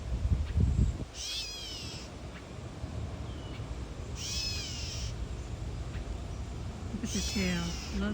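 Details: On a boardwalk, a catbird protecting its nest, tail fanned, gives three bursts of high, slurred, mewing notes about three seconds apart; mate or possible intruder chirps, over soft background music and a low rumble.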